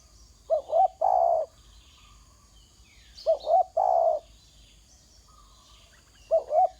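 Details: Spotted dove giving its call while on the ground: a double-noted coo followed by a drawn-out hoot. The phrase repeats roughly every three seconds, three times, with faint distant chirps in the background.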